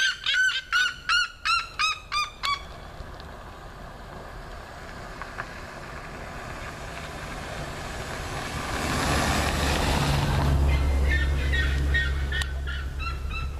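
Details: Red-legged seriemas singing by a road in São José, Conselheiro Lafaiete, Minas Gerais, Brazil: a burst of rhythmic, harmonic yelps about three per second, then a passing vehicle's rumble masks everything, with faint yelping returning at the end.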